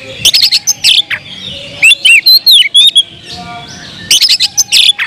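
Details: Oriental magpie-robin singing loudly to goad other magpie-robins: bursts of harsh chirps mixed with fluid, looping whistles, then a second rush of chattering notes near the end.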